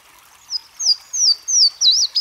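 A Louisiana Waterthrush sings a series of high, clear, slurred whistles, about four in two seconds, ending in a quick, jumbled twitter. No other sounds are heard.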